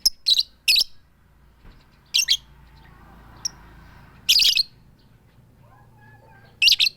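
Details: A female lovebird calls the male, "tik tik keyok" style, no chattering. Loud, rasping squawks come in pairs every couple of seconds, with a lone high tick between them.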